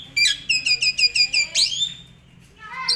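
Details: Asian pied starling in full 'gacor' song used to tutor other songbirds: a fast series of about eight repeated ringing whistled notes, then a loud sweeping rising-falling squeal, a quiet pause and a rising whistle.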